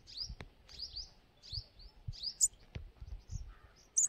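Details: Sunbird in a forest, giving sharp, high upward-flicking chip notes in short doubled bursts, with low thumps and background rustling underneath.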